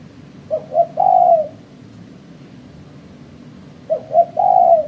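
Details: Spotted dove call used by trappers as a lure. The same three-part phrase comes twice about three seconds apart: two quick short coos, then a longer smooth low coo. Faint background hum throughout.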